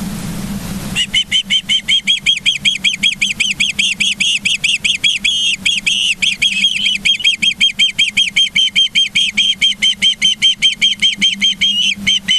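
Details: Long, insistent bout from ospreys at a Montana nest near Charlo, 24 August 2023 in the morning: over eleven seconds, more than fifty sharp whistled cheeps repeated rapidly and steadily, a faint low hum beneath.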